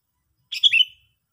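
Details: A single quick chattering note from a sooty-headed bulbul, rough at the start and ending in a short down-slurred whistle.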